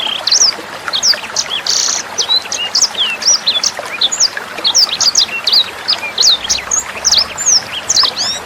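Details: Sanger bird tutor song for training songbirds and young sangers: a busy chatter of high-pitched chirps, a brief buzzy note early on, and quick whistled flicks, over a background of flowing water.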